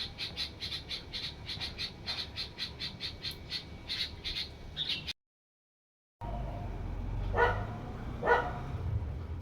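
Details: Red-vented bulbul (Pycnonotus cafer) chicks give a quick run of thin, high chirps, then, after a short break, two harsher squawks a second apart over low background noise.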